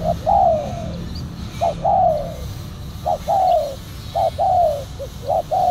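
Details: Spotted dove calls during trapping with a silver black-collared decoy dove. Low hoarse cooing phrases repeat, each a short note followed by a longer falling coo, with steady low rumbling background noise.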